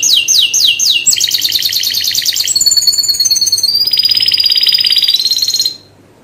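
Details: Canary song of very high, loud notes: three falling sweeps, then a fast buzzy rattle, a long piercing whistled trill and a rolling warble before ending suddenly.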